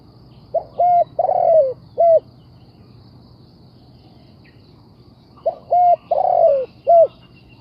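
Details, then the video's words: Decoy spotted dove used for bird trapping, calling twice: each phrase is a string of four low, mellow coos, short-short-long and slurred-short, with phrases about five seconds apart and quiet between them; low hum throughout. "The Sound Of Spotted Dove"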